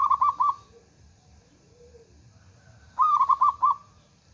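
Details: Local Indonesian zebra dove (perkutut), a female calling a male, used to lure and stir other doves: two phrases of rapid, rolling mellow coos about three seconds apart, with faint low cooing between.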